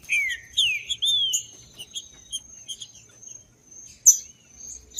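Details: Green-winged saltator recorded in the wild in woodland, played to stir up captive birds. Loud slurred whistles slide downward in the first second and a half, then scattered high chirps and a steady thin high tone continue.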